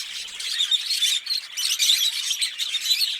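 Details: Paired green Fischer's lovebirds singing, producing an unbroken mix of high-pitched chirps, squeals and thin whistled notes, loud and busy throughout.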